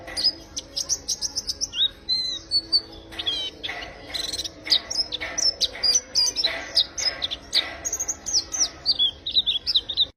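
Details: Warbling white-eye singing a chatty, melodious, rapid-fire song, a stream of sharp high chips and twittering whistled slurs repeated almost without pause, louder and more varied toward the end.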